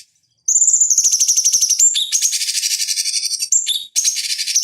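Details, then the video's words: Bulbul known locally as cucak cungkok, from a training master for fighting birds: a thin high whistle slides into long rapid buzzy trills, broken by brief whistled notes, almost without pause. "Masteran Pancingan Cucak Cungkok Ampuh Untuk Terapi Dan Masteran Burung Petarung"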